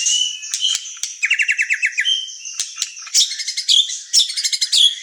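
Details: Lively white-rumped shama song of rapid repeated chip series, clicks and high bright phrases, delivered in quick bursts with brief gaps between them.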